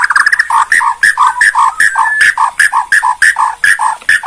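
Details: Bornean white-rumped shama giving its kretekan, a rattling call said to stir up other shamas so they answer at once. Harsh notes alternate between lower and higher pitch, about one pair every third of a second, in a steady rhythm.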